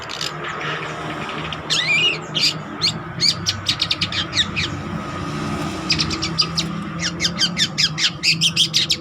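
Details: Long-tailed shrike song, the cendet trotol type, meant as a training master or lure: scattered scratchy notes and a short rising whistle, then a dense closing burst of rapid ticking chatter, with background rumble.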